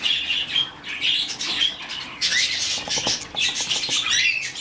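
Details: Rescued, hand-fed budgerigar chick giving a run of thin, high chirps and scratchy squeaks, with soft tapping and patter sounds underneath, indoors.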